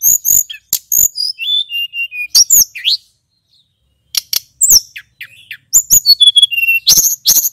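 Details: High, energetic song of a male Little Pied Flycatcher used to lure and excite flycatchers: bursts of sharp piercing notes and falling whistles, a silent pause after three seconds, then more rapid chirps and slurred whistles.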